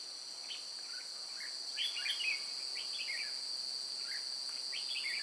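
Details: Trapping scene at Chùa Hương on 9 May 2018: red-whiskered bulbuls utter clusters of brief, bright slurred whistles in uneven bursts, partly masked by a loud, steady high insect drone.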